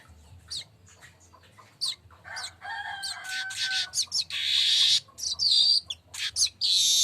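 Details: Streaked weaver, known locally as manyar kembang, in ngecall song: scattered high chirps and scratchy notes, two brief clear whistles, then loud buzzy sizzling bursts repeated irregularly.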